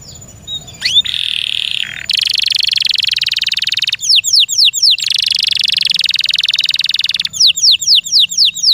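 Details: Captive canary song alternating long, rattling buzzy trills with bursts of quick, sharply descending whistled notes, several phrases in a row, loud and close.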